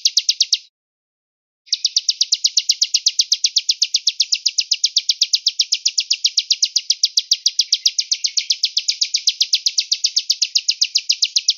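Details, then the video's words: Velvet-fronted nuthatch, heard far off, singing in cigun gereja style: a short burst of chips, a one-second pause, then a long, loud, very even trill of sharp notes lasting about ten seconds. "MASTER Pelatuk beras Cigun Gereja Jeda Suara Jauh"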